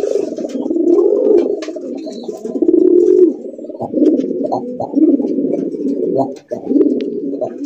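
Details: Many domestic calling pigeons offered for sale, with eggs and chicks present, coo together in low throaty rolling coos that overlap in a continuous murmur.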